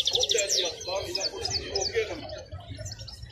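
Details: European goldfinch, a wild-caught bird kept at Al-Qurai'a market, gives fast, bright twitters and descending chirped notes in quick runs, over a background of people talking in the busy market.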